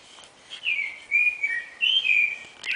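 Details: Dawn song of a clay-colored thrush, locally yiguirro, at 4:14 am on 9 April 2009: three sweet whistled phrases, each slurring up then down, spaced about half a second apart over a quiet background.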